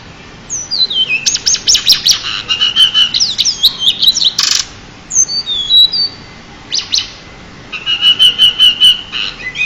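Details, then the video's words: Pied bushchat, a champion singer kept as a master tutor, delivers rapid bursts of sharp, sweet whistled notes with sliding down-slurs, pausing briefly midway before a fast repeated twittering phrase. "burung decu juara untuk master"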